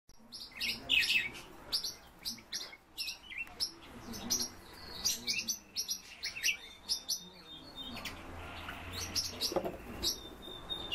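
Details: European bee-eaters calling: a dense, overlapping run of short, high chirps and trilled notes, several birds at once, in bursts throughout, with a faint low background hum.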